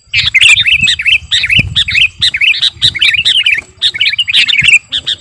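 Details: Kutilang garuda sooty-headed bulbul in continuous lively song for luring birds and master training. Dense repeated phrases of bubbly, warbling chirps arrive roughly every half second, with a faint low hum in the background.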